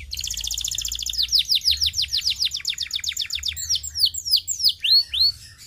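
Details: Canary singing to stimulate other birds to practice: a fast high trill opens, followed by a long run of rhythmic descending whistled sweeps that slow into broader arching notes near the end.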